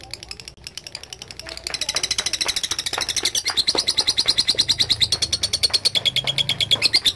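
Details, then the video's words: Lovebird in full voice, quiet mixed noise at first, then a long fast high-pitched ngekek trill rising in volume and continuing steadily, with a low hum underneath. "LOVE BIRD GACOR NGEKEK PANJANG"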